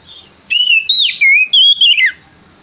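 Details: Male Oriental magpie-robin in full song, used as a lure to make other magpie-robins answer: loud, clear whistled phrases sliding up and down, one bright warbling burst after another over about two seconds, then quiet.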